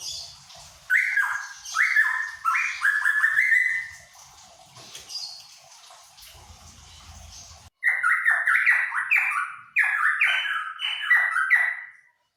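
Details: Cucak pantai, a bird endemic to Papua, singing loud descending whistled phrases, each a quick stepped slur, repeated in bursts with short pauses between groups.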